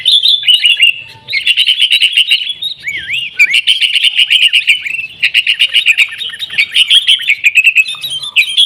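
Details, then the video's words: Lively sooty-headed bulbul chatter played as a lure so caged birds start singing: rapid overlapping chirps and warbles run nonstop, with a few slurred down-and-up whistles around the third second. "kutilang gacor TARUNG buat pancingan kutilang agar bunyi"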